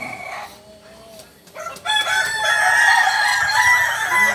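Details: Solok's native singing chicken, the Kukuak Balenggek, starting a loud sustained crow after a quiet opening with a faint thin whistle; the crow holds steady, rich layered tones to the end.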